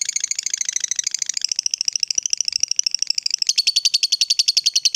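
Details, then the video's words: Lovebird in the fighter type singing the long ngekek trill: a rapid, even chatter of sharp high notes about two per second shifting upward in pitch midway, steady and unbroken throughout. "Suara Lovebird ini Bisa bikin LB mu Rajin Bunyi Sepanjang Hari"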